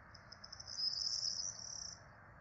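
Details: Peregrine falcon chicks, four nestlings being fed at a nest in Rome on 12 April 2024, give a thin, high, wheezy begging whine that swells and holds for about a second over steady background hiss.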